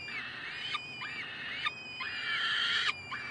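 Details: Peregrine falcon chicks beg in a steady stream of wheezy, scratchy calls, several overlapping voices with arched rising-and-falling notes about four times a second, while the resident male babysits; 9 May 2015, Columbus.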